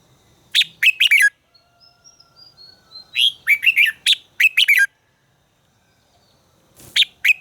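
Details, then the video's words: Caged red-whiskered bulbul in voice training, giving loud bursts of rich warbled phrases: a short phrase, a quiet thin whistled interlude, then a longer run of clipped rising-falling notes, and a final brief phrase. "luyện giọng chào mào hót hay - căng lửa, chào mào hót quá phê"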